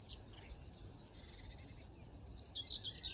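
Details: River warbler singing in the morning on 10 June 2022 near Tynaarlo, Drenthe, the Netherlands, along the Drentse Aa: a high, dry, insect-like buzzing of rapid pulses runs steadily throughout, with a few brighter notes from another bird near the end.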